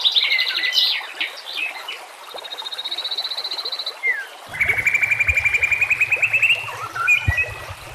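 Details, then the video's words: White-rumped shama song for training other shamas, with nature sounds and trickling water: varied whistled phrases and slurs around the start, then a rapid buzzy pulsed trill, a sweeping whistle and a long rapid rattling trill with a low hum. "murai batu AKAN EMOSI dan IKUT GACOR dengan masteran murai batu ini"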